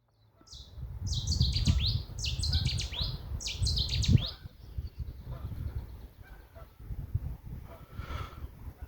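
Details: Cetti's warbler, a new arrival at Eakring Flash, heard from near the road, bursts out with sudden, loud, rapid metallic phrases, three in quick succession, over a steady low rumble of wind and distant traffic.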